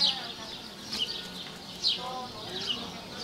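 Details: A Cuban emerald hummingbird in Cuba gives short, high, falling chips about once a second, with a faint buzzy hum and low murmuring in the background.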